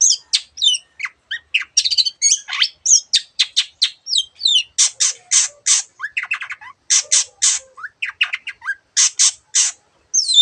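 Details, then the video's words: Long-tailed shrike singing in a lively, energetic style with many variations of other birds' sounds, used as training song for birds that are reluctant to sing: rapid mix of sharp chirps, slurred whistles and harsh buzzy notes in quick succession, high pitched, indoors. "cendet gacor masteran untuk burung yang susah bunyi banyak varian suara burung lainya"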